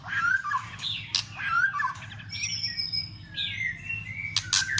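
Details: White-rumped shama stimulating song with tail-flicking and clicks meant to stir other shamas to fight-sing: clear whistled phrases, some dropping, separated by sharp clicking bursts, with a long high whistle in the middle.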